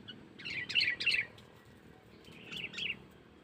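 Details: Sooty-headed bulbul calling as a lure for wild birds: two short, lively clusters of chirpy, warbling notes a second or so apart, the first louder, over faint low rumble.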